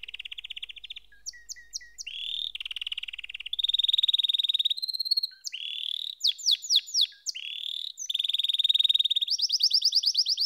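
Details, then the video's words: Canary singing a long varied sequence: steady rolling trills, short sweeping whistles and rapid high trills, phrases changing every second or two. "Canary SINGING Like a Pro with Proven Tone Techniques!"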